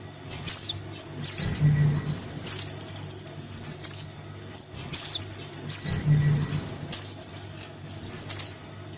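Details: Crimson sunbird chick begging for its parent, a lure sound: thin, very high chirps and buzzing rattles repeat in quick clusters, with two short swells of low hum.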